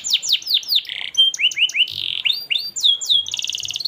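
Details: Canary singing a long, melodious song used as master song to train young canaries: a series of descending whistled sweeps, then buzzy notes and rising slurs, ending in a fast, even high trill.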